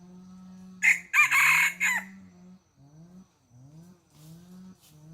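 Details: Chicken on a farm: a loud, harsh crowing burst with a broken, rasping middle section lasting about a second, surrounded by soft, low, repeated rising chirps and murmurs.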